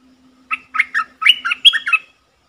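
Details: Bulbul calling as a lure, 24 September 2021: a low steady hum underneath, then eight or so quick liquid notes in a bubbly phrase, the later ones sliding higher into a short whistle.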